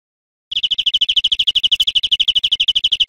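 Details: Teaching recording of European greenfinch song for cage birds: after half a second of silence, a fast, steady trill of high repeated notes carries on for over two seconds.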